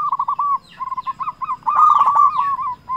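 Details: Local zebra dove calling steadily as a lure to provoke rivals: an unbroken run of quick, bubbling coo notes that swells into a louder rolling phrase and then eases off, with faint chirps of other birds behind.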